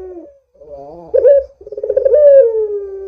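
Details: Barbary dove (puter) in full, lively voice, used as a lure to prompt other doves to call: low hoarse coos, a wavering phrase, then a louder rolling coo ending in a long drawn-out falling note.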